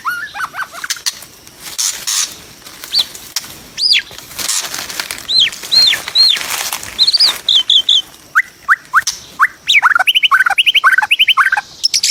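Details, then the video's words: In the wild during a trapping session, a white-rumped shama gives loud, varied whistles and slurred notes, ending in quick rising phrases, mixed with wing flapping and rustling. "MIKAT BURUNG MURAI BATU DI ALAM LIAR"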